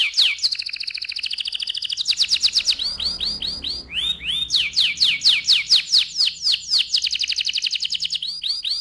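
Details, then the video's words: Energetic AF canary in loud ngerol rolling song: dense buzzy trills alternate with fast runs of sharp downslurred chips and looping whistled swoops, switching phrase types every second or two, with faint low hum beneath. "KENARI AF GACOR, NGEROL VOLUME KERAS"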